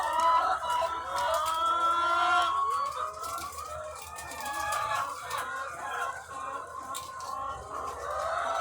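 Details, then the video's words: Thousands of egg-laying hens on a farm; a crowded chorus of clucks and drawn-out, wavering calls, some sliding upward, overlapping continuously, with a brief low tone early on. "The Sound of Thousands of Egg-Laying Chickens"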